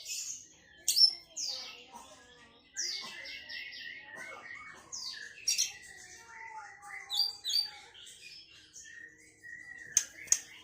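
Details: Sunda bush warbler (tledekan melayu) in melodious song: bright high whistles, downslurred sweeps and buzzy rattling notes delivered in quick varied phrases, with a few sharp clicks.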